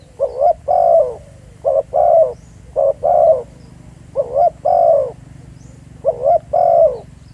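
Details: Spotted dove recorded live at a real field site, Pha Sing, giving paired soft coos, a short note then a drawn-out slurred one, in groups separated by short gaps over a low background hum.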